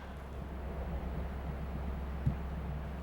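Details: Low mechanical hum, like a distant engine, drones throughout with one faint click near the end and no animal sound.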